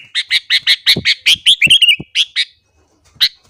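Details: A sooty-headed bulbul singing in the morning to provoke others of its kind: a quick run of identical bright notes breaks into a rippling, descending warble, then stops before a lone sharp chip.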